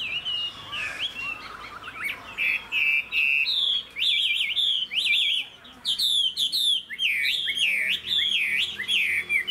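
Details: Chinese hwamei, a caged pet songbird said to sing well and fight with its plumage spread. It pours out loud, varied whistled phrases: trills, sweeping slurs and repeated bright looping notes, in bursts separated by brief pauses.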